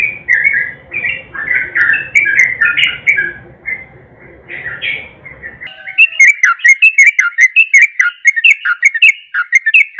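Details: Sooty-headed bulbul nguklik song, played so silent birds start singing: warbled, tumbling whistled phrases, then an abrupt cut to a cleaner, crisper run of sharp chirpy notes with high ticking sounds.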